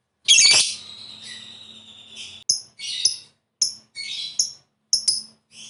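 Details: Lovebird heard as a lure for singing: one loud rasping squawk drawing into a thin held whistle, followed by short, sharp, high squeaks spaced about half a second apart in a quiet room.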